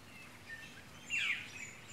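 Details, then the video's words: Australasian Figbirds at Wellington Point Reserve's picnic ground, a coastal site near Brisbane, Queensland, give one short, loud, slurred 'wah' that drops in pitch, against a steady outdoor hiss. "Can you hear that? Wah! Those are Australasian Figbirds."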